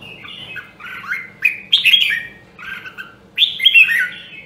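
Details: Red-whiskered bulbul of Nam Dong, Hue, Vietnam, caged for voice training. It sings three mellow, gurgling phrases that slide downward, the later ones louder and sharper. A soft mechanical hum continues throughout.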